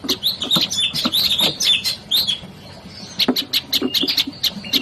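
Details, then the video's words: Lively olive-backed tailorbird chattering: rapid high chirps mixed with brief whistled slurs, a dense opening burst, a short lull, then a fresh string of sharp repeated notes. "PESONA KICAUAN SI MUNGIL PRENJAK LUMUT"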